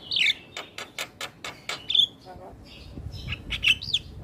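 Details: Black-winged starling singing energetically while nodding its head, a recording meant to prompt silent starlings into song: a run of sharp, evenly spaced clicks, then a harsh squeaky whistle and scratchy rising and falling notes.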